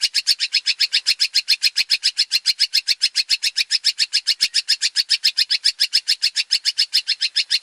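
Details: ['Male long-tailed shrike used as a lure recording; one continuous, very regular rapid chatter of harsh high notes, roughly three and a half per second, steady from start to finish.']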